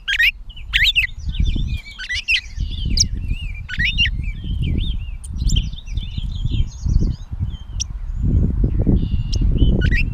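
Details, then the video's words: Gray catbird in Bowdoinham, Maine, on 16 May 2020: a jumbled run of varied squeaky, whistled and scratchy phrases with quick pitch jumps, set over a heavy low rumble of wind or handling noise that surges throughout. "The many sounds of the Catbird"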